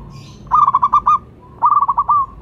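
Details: Local zebra dove, a strongly vocal bird whose call serves as a lure and prompt for other doves. Two bursts of rapid staccato cooing, each a stuttering run of short notes ending in a drawn-out rolling coo.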